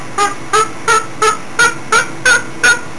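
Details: Pet cockatoo really singing it up: a rapid run of loud, harsh, honking notes with stacked overtones, about eight evenly spaced calls in three seconds, each short and clipped, with a faint steady hum behind.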